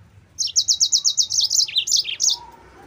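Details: Rapid, evenly repeated high chips from a Yellow-fronted canary, about ten in a row, then breaking into lower, falling slurred notes. It is a persistent song used as a lure and tutor for other canaries.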